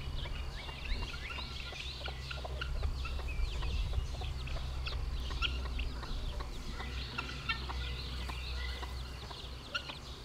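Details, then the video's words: About week-old chicks moving with a mother hen, a dense stream of short high peeps and chirps mixed with clicks and scratchy tapping over a constant low hum. "Baby chickens following mama hen"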